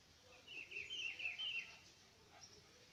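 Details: Wild green-winged saltator heard at a distance, delivering a faint, slurred whistled phrase lasting just over a second over a steady soft hiss.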